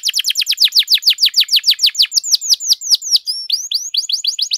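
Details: Singing canary recorded as tutor and trigger song for other canaries: a long rapid series of bright downslurred whistles, about six per second, briefly broken by a rising pair of notes before the quick descending notes resume.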